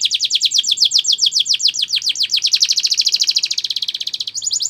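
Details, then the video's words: Spanish Timbrado canary singing a training song as one unbroken run of rapid, evenly repeated sweeping notes that gradually speed into a dense metallic trill, ending in a higher buzzing roll. "Many canaries join in singing after listening to this song"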